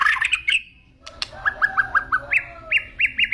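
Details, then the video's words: White-rumped shama in agitated song: fast chattering squawky notes, a pause with clicks, then a steady series of short, looped chirps repeated roughly every quarter second. "BAHAYA NANTI MURAI MU NGAMUK"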